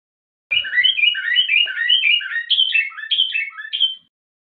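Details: Common bulbul from Morocco singing a tashyi'a, a song style with two variations: about three and a half seconds of rich, mellow warbled notes, rapidly alternating higher and lower pitches in bouncing pairs, against a quiet, clean background.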